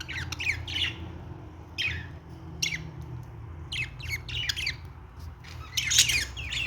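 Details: Budgerigar song of scattered sharp squawks and downslurred chirps at irregular intervals, ending in a dense scratchy burst, low background hum throughout.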